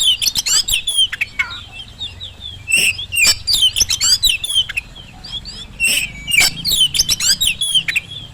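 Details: Lure song of an Oriental magpie-robin, used to get reluctant birds at home or in the field to reply quickly: continuous energetic medley of clear whistles, rapid chirps and buzzy notes, with brief breaks between bursts.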